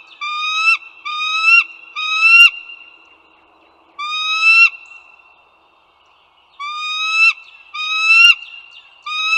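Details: Bald eagles at the Dulles Greenway in northern Virginia, 16 April 2022 at 08:55 in the morning: drawn-out, slightly rising nasal notes in bursts of three, repeated after pauses, over a steady high background tone.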